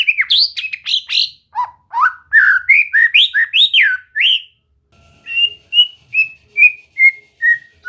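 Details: White-rumped shama in singing training. Varied rapid whistled and warbled phrases build up, then after a pause it gives a series of about six evenly spaced clear whistled notes that fall slightly in pitch.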